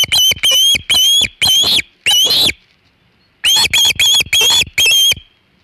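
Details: Osprey on the Hog Island nest with a big shad, about 3:50 pm EDT on 27 August 2019. Two groups of five loud, high whistled yelps, each note slightly upslurred, separated by a second of near silence.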